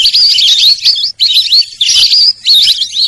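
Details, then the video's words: Clear, high whistled phrases from a Sarail bird: wavering, slurred notes in four short bursts with sharp breaks between them. "সরাইল পাখির ডাক।Sorail pakhir dak"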